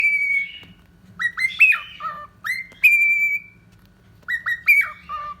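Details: Cockatiel, a caged pet bird, whistling clear tonal phrases: a long level whistle, then bursts of rising and falling notes with short pauses, and another level whistle, over faint low background hum.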